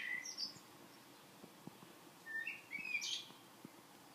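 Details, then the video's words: Common blackbird singing: a short low whistled note, a high twitter, a pause, then a warbled phrase rising into a squeaky high flourish near the end. "Kos / Blackbird / turdus merula"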